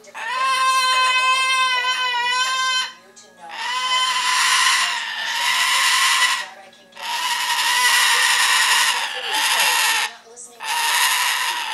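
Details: Cockatoo in a home squawking when its owners arrive: a wavering tonal scream followed by three rough, broad, harsh squawks of two to three seconds each, with short gaps between.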